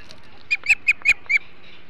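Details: Osprey at the Hog Island nest feeding on flounder, 21 July 2016: five short, evenly spaced whistled chirps at moderate volume against faint background noise.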